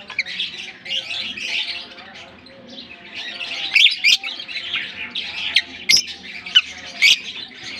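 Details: A flock of African lovebirds in a colony keeps up a thin, high, twittering chatter. Piercing short shrieks punctuate the second half, with soft low tonal sounds beneath.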